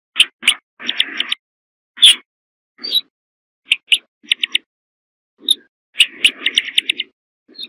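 Corn bunting: short bursts of dry ticking notes running into brief scratchy, jangling rattles, broken by abrupt silent gaps.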